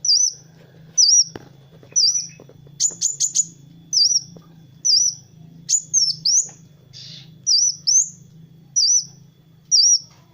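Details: Kolibri wulung sunbird singing a training master for other birds: a ten-second series of high curling whistles, about one per second, broken by a quick cluster of sharp staccato notes, over a soft hum.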